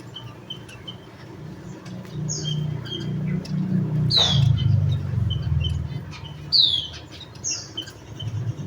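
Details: Javan munia giving high falling chirps and faint ticking notes while a passing vehicle rumbles loudly in the low range.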